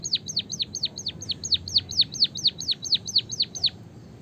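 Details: White-headed munia (white-headed Java sparrow), singing in a canary-like rolling style, giving a fast rolling series of high, sharply downslurred chirps, about four per second, over a faint low background hum.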